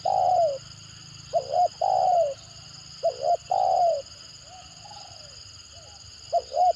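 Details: Spotted dove used as a lure bird, giving a stuttering (gagap) call: a long coo, two phrases of broken double notes and sustained falling coos, then softer, fainter coos, with low rumble and a high hum.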